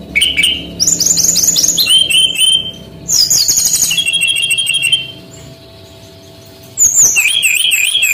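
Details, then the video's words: Song of a male brown-chested jungle flycatcher from Bali, a lure recording for training young birds: rapid descending whistled notes and trills in varied phrases, a lull, then looping wavering whistles. "SUARA BURUNG SRDC BALI ASLI JANTAN GACOR"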